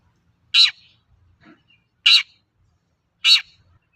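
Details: Long-tailed shrike in full voice for luring raw shrikes into song: three loud grating rasps, evenly spaced about 1.3 seconds apart, with a faint soft note between the first two.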